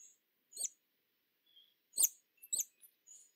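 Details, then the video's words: Hummingbird giving irregular high-pitched chips, some doubled, mixed with brief thin whistled tones. The background is quiet with no other sounds. "Sonidos de Colibries - COLECCION SONIDOS DE COLIBRIES - Hummingbirds Sounds"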